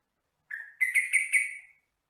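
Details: Captive-bird training song of a sooty-headed bulbul, locally trucukan or jogjog: a short whistled lead note leads straight into a loud, liquid four-note bubbling phrase, with no other sounds.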